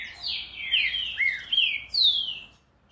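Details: Green-winged saltator pouring out a rapid string of full, liquid whistles that slide and drop in pitch, ending abruptly after about two and a half seconds.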